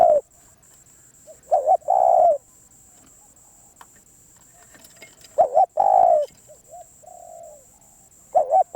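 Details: Wild spotted dove, called a very tough bird, cooing in low soft phrases: a quick two-part coo followed by a long throaty note, given three times with long quiet gaps between, over a faint constant high hum.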